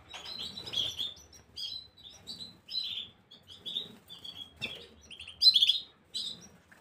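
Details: Gloster canary song dated 9 January 2023, a steady run of short, sharp, high chirped notes spaced evenly through the clip, ending with a louder, brighter burst of trilled twitters.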